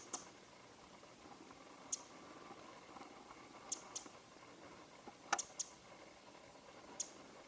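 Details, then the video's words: A wild winter wren (Troglodytes troglodytes) perched on a bare branch in Japan, late January 2013, winter morning. It gives hard, clicking tick notes at irregular intervals, about seven in all, some paired, against a faint steady hiss. "Winter Wren - Morning Call ミソサザイの地鳴き"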